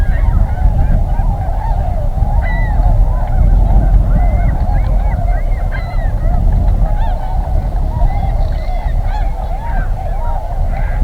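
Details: A large flock of Tundra Swans at an early-spring migration stopover in southwestern Ontario near Pinery Provincial Park, heading north to breeding grounds, keeps up overlapping mellow hooting and whooping calls at sunrise, over heavy low wind rumble.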